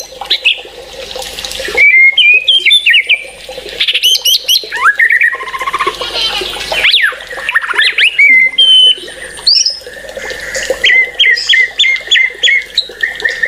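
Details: White-rumped shama giving long, varied song with whistles, harsh chattering bursts, mimic-like squeaks, and a closing run of short repeated high notes, over a low background hum.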